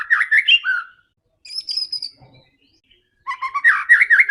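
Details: White-rumped shama song used as a fighting provocation for other birds: bursts of rich varied whistles and chattering phrases around mid pitch, a high thin whistled phrase in between, with short silent gaps.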